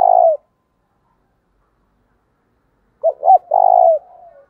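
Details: Spotted dove cooing in an urgent, fiery style used as a lure for wild doves: the end of one drawn-out coo, a pause, then two clipped notes and a long, falling, mellow coo trailing off softly.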